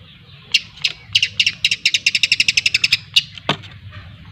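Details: Lampung long-tailed shrike learning ngriwik, the chattering song style: a rapid, even rattle of bright high notes, roughly four per second, rising into a continuous trill.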